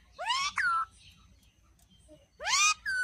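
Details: Angry pet parrot talking, giving two loud, harsh, rising calls with strong bright overtones, each followed by a short flat tone, separated by a quiet pause of over a second.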